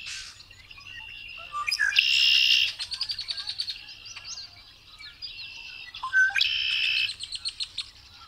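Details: Red-winged blackbird singing: a short rising note leads into a loud, harsh buzzy trill lasting under a second, followed by rapid clicking notes and softer chatter, then a second buzzy trill near the end.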